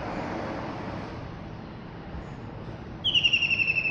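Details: In Penang on 24 December 2020, a small common kingfisher gives a loud, shrill, thin whistle, quickly repeated and slightly falling, near the end, over steady traffic rumble.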